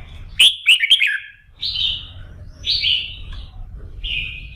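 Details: Red-whiskered bulbul in morning song practice meant to fire it up for singing contests: three sharp, loud, ringing notes in quick succession, then longer warbled whistled phrases spaced about a second apart, over a low steady rumble.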